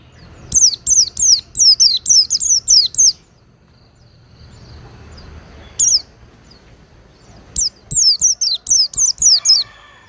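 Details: Oriental white-eye kept as a cage bird, recorded for training other cage birds: high, thin descending notes, each sliding down sharply, given in rapid runs of about eight with short pauses and a lone note between.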